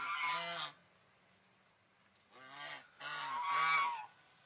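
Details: A single nasal swan honk, a quiet pause of over a second, then two more honks in close succession.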